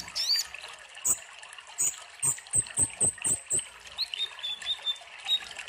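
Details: High sunbird song: sharp clicking notes in a quick run, then thin descending whistles and a brief high twitter, with trickling water in the background.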